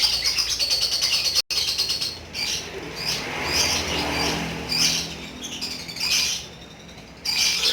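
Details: Lovebird singing in the long chattering ngekek style: dense, scratchy, high twittering bursts of a second or two, separated by short quieter pauses, with a faint low hum underneath.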